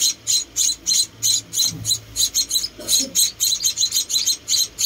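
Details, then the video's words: Munia chicks, four rescued babies, calling during feeding with fast high chirps at a steady pace, a faint murmur of low sounds underneath. "Rescuing and Feeding Four Tiny Munia Babies"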